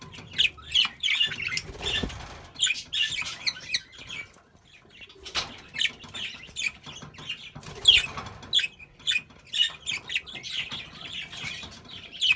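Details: Sky blue spangle budgerigars chatter in quick, scratchy chirps and squeaks, with bursts of wing flapping.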